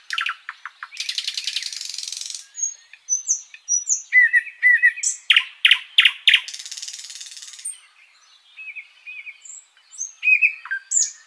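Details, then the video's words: Flycatcher (sikatan londo) pouring out long master song for teaching other birds: short ticks, a long dense buzz, chirping slurred phrases, loud sharp clicks, another extended buzz, then quieter scattered whistles. "Masteran Burung sikatan Londo gacor panjang"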